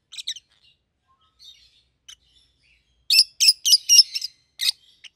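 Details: Two pet rosy-faced lovebirds, yellow and green, give a few soft chirps, then a loud rapid series of about seven piercing chirps.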